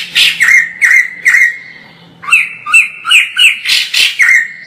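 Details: Distant white-crested laughingthrush pours out loud song: three descending whistles, a held note, then a fast cluster of bright, harsh, chattering phrases, a soft hum underneath.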